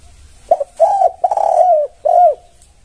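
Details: Spotted dove (tekukur) song used as a lure to draw answers from other doves: a short clipped coo, a long quavering coo, then a final rounded coo, in a quiet indoor setting.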